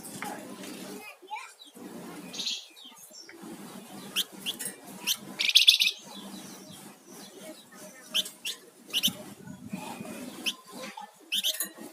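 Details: Flamboyan songbird singing actively, scattered sharp high chips and short notes with one loud buzzy burst in the middle, over a steady low background hum.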